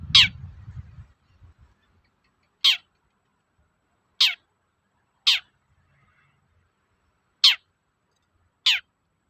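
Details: Long-tailed shrike uttering its toet-toet call to rouse untrained shrikes: six isolated, shrill, downward-slurred notes at irregular intervals of one to two seconds, after a short burst of low noise at the start.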